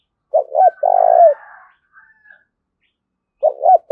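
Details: Spotted dove in thổ đồng voice, cooing in the gù thúc and gáy gọi manner: a two-hoot-and-long-coo phrase with overlapping higher chatter, then a short gap and the start of another phrase.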